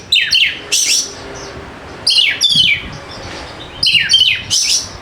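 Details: Kacer, the Oriental magpie-robin, sings to draw silent birds into song: three clusters of grating descending sweeps and high buzzy notes, each about two seconds apart, over a faint background hiss.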